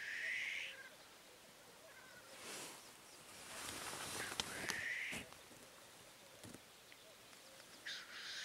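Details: Black grouse giving three sharp, breathy hisses spaced several seconds apart, with faint low bubbling behind them, while rustling and footstep-like noises fill the middle of the recording.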